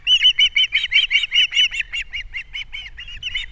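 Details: Osprey pair at a nest on Captiva in early April 2022, the male bringing fish for breakfast while the female feeds the chicks: rapid series of shrill, chirping whistles, about thirteen notes in three and a half seconds, steady then slightly fading.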